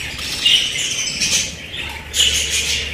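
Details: Pet budgerigar chatter: two bursts of harsh, squawky, high-pitched calls around half a second and two seconds in, with quieter scratchy chirping between them and a faint low hum underneath.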